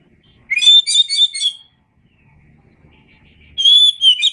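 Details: Masteran song of kacer (oriental magpie-robin): a rising note leading into a rolling series of warbled whistles, a pause with faint low hum, then a long steady whistle beginning another phrase.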